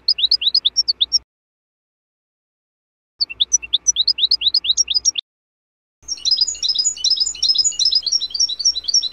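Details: Natural song of a European goldfinch, recorded in the 2024 season: rapid, high tinkling twitters and liquid trills in bursts, the last one a dense jangling run. No other sounds.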